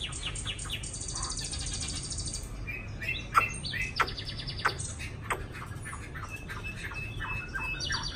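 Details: Caged Chinese hwamei in Hanoi, Vietnam, recently arrived and raised by locals in a small cage. A dense, varied medley of high chirps, buzzy bursts and sharp clicks sounds against a low background hum.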